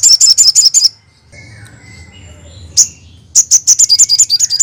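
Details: Crested jay, used to draw a response from other crested jays: a rapid series of ringing high notes, a pause with faint calls, a single sharp note, then the quick series resumes.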